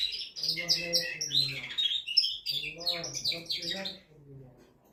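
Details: Male canary singing to excite a female and prepare her for mating: bright, rapid high trills and warbled notes in bursts for four seconds, with a lower voice-like harmonic sound underneath, then fading to near quiet.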